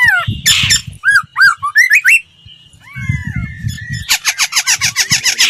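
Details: Laughingthrush voice-training song: a noisy burst, looping hooked whistles, a pair of long descending whistles, then a fast evenly spaced run of harsh repeated notes, with low rumbling noise in places.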